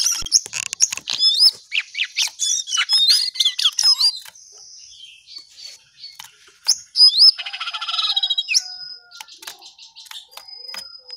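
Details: Jongkangan, the lesser shortwing, in energetic high-pitched warbling, a tumbling run of twitters and upslurred whistles that fades into a quieter stretch before a second rush of notes.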